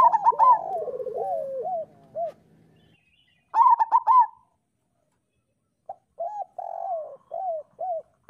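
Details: Zebra dove of local stock singing to stimulate reluctant doves: a burst of clipped notes leading into a rippling trill, a long pause, another quick cluster, then a string of separate arched coo notes.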